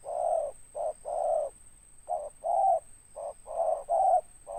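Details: Deep-voiced local spotted dove in ngeruk style with a tindan ending, giving a string of low rounded coos of uneven length, long full notes between short clipped ones, in bursts with brief pauses, a faint electronic whine steady underneath.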